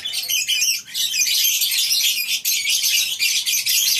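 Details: Colony aviary of lovebirds on a breeding farm in the morning: a steady wall of high-pitched squeaking and chirping from many birds at once.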